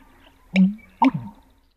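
An American Bittern gives its pumping call: two deep, liquid gulping notes about half a second apart, low and resonant, with nothing else heard.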